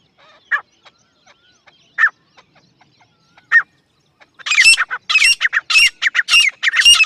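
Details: Grey francolin: three widely spaced single harsh notes, then a loud, fast burst of squawking calls with bright high overtones that continues to the end.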